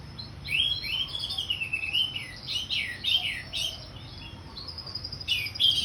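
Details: Orange-headed thrush singing in ngeplong style: a continuous, varied stream of rich whistled phrases, rising and falling, with short buzzy notes mixed in and brief pauses between phrases.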